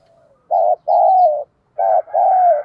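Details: Decoy spotted dove giving its full cooing song to stir newly caught and decoy doves into cooing; two mellow cooing phrases, each a short note followed by a longer, slightly falling coo, with a quiet pause between.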